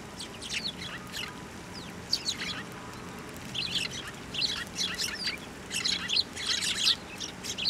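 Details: Sparrows being fed on posts and by hand at a Tenmangu shrine, 24 November 2023. Scattered chirps early, then louder clustered chirping in the second half, several birds overlapping.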